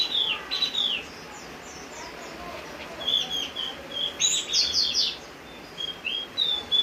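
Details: Javan grey-throated white-eye singing vigorously during rain: short bursts of high, sharp chirps and quick downslurred notes, separated by brief pauses, with a few bright twittering clusters near the end.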